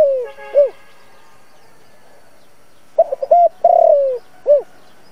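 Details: Spotted dove coo for a trapping speaker, intended to draw wild doves: a phrase's tail ends the start, then after two quiet seconds a full phrase of short notes, a long downward coo and a final hoot.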